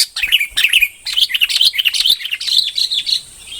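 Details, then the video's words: Dense, rapid warbling from a red-whiskered bulbul, chattering whistled notes tumbling up and down with almost no gaps. "chim chào mào bông hót chuẩn 100%"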